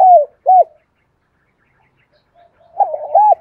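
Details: Spotted dove kept as a decoy, cooing in the morning to lure wild birds: the end of one phrase with two short hoots, a pause, then a softer rolling start of the next phrase.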